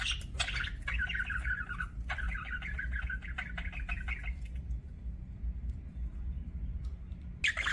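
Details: Budgerigar chattering for about four seconds, with scratchy wavering warble phrases and clicks, then near silence apart from a low hum before one last chirp.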